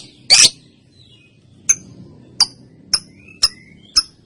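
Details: Female lovebird recorded as a training sound for other birds, giving one harsh burst followed by five short sharp high ticks spaced about half a second apart, with faint thin whistles between them.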